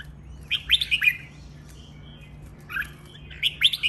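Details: Red-whiskered bulbul rehearsing its training song: two bursts of quick, liquid whistled notes, rising then dropping, with a steady low hum underneath.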